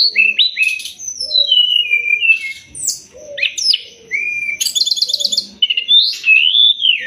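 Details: Master song of a Sumatran leafbird for teaching songbirds: varied phrases of falling whistles, slurred rising notes and a harsh rattling burst, with a steady high whine behind.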